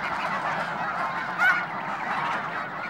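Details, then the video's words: Snow Geese flock honking near Conway, Washington, at the Hayton Snow Goose Reserve; a steady din of many birds, with one prominent, louder yelping honk rising out of the chorus midway. "Snow Geese"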